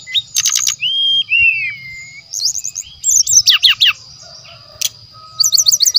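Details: Wild brown-chested jungle flycatcher song, recorded from nature as a lure: a long wavering descending whistle, then clusters of quick hooked notes and brisk chips. A faint continuous high hum is present.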